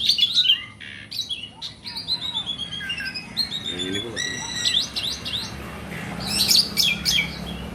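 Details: Kept black-and-white Asian pied starling singing vigorously and nonstop: a jumble of high chirps, buzzy notes and short whistled slurs, with louder bursts at the start and near the end, over low background hum.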